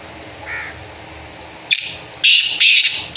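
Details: Caged black francolin calling while standing still in one place: a burst of loud, harsh, grating notes, three rasping bursts in about a second after a quiet start.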